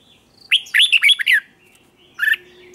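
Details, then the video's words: Red-whiskered bulbul contest song: a quick run of rich, fluty warbled notes lasting about a second, followed after a pause by a short second burst, with a faint low hum behind. "Chào Mào Kích Bổi Nhanh Ra Giọng | Kích Chào Mào Hót Đấu. Chào Mào Kích Trống Hót Căng Lửa."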